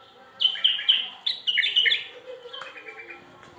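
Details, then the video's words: Bulbul singing in a strong, sweet voice: a quick run of about eight bright, warbled notes in the first two seconds, then softer chattering phrases that fade out. "تغريد بلابل صوت قوي وحلو"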